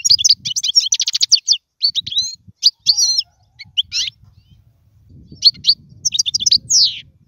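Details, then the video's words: European goldfinch song offered for teaching young birds to sing: bursts of fast, bright twittering notes with trills and a few rising whistles, broken by short pauses, with faint low rumbling in the background. "اسمع المقنين واعطي رايك فيه,افضل تغريد لتعليم الفراخ"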